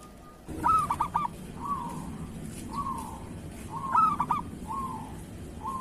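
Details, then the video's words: Local zebra dove, kerot-style master song for training other doves: two bursts of sharp clipped coos, each followed by short, separate slurred cooing notes repeated about once a second. "Suara perkutut lokal masteran perkutut kerot"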